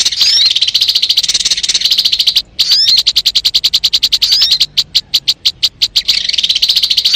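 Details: Bird-luring recording of a crimson sunbird. It starts with a long dense run of thin, high chittering notes and quick upswept whistles. A steady series of separate sharp chips follows, then the rapid trill returns.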